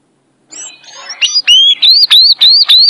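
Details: Sayaca tanager singing the violin-style song: a soft twittering start, then a fast series of loud, high, sliding whistled notes, each rising then dipping, repeated about every quarter second.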